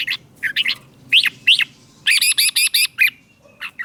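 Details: Caged red-whiskered bulbul in Thailand singing southern master-style phrases meant to rouse other caged birds: short slurred whistled notes, then a quick run of six rhythmic harsh notes and a final slurred whistle.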